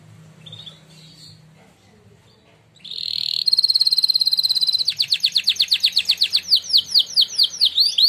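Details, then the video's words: Training song from a singing-contest champion canary: near silence at first with faint notes, then a loud steady trill bursts in and turns into rolling, rapidly repeated swooping notes. "canary training song"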